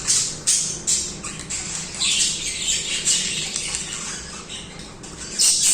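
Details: Singing budgies give a rapid jumble of harsh squeaks, scratchy trills and high chirps, loud sharp notes at the start and end, softer twittering between.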